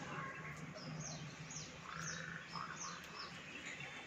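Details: Baya weavers, seasonal monsoon visitors at a balcony, utter a steady string of thin, high, downward-sweeping chirps roughly every third of a second, over a low continuous hum.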